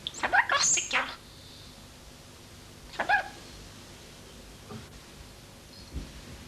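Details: Corsica, a young common starling rescued at a campsite in Corsica and kept indoors, mimics household sounds: a one-second burst of squeaky, whistled, chattering notes, then a shorter squeaky phrase two seconds later, in an otherwise quiet room.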